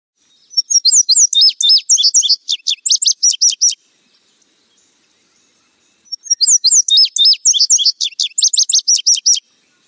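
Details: Indigo bunting song, two full songs about three seconds each with a pause of roughly two and a half seconds between them. Each song is a rapid run of high, sharp, paired notes. The background is otherwise silent.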